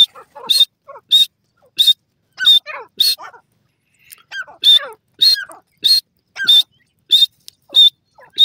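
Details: Grey francolins in a forest: loud, shrill, ringing calls repeated in quick bursts roughly every half second to second, with lower, softer sliding notes between them. No other clear sounds.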